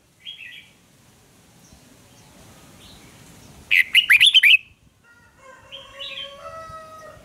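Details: Red-whiskered bulbul in a singing duel meant to fire up young birds: a single burst of six or seven rapid, rising and falling warbled notes in the middle. Soft chirps come before it and faint thin whistles after.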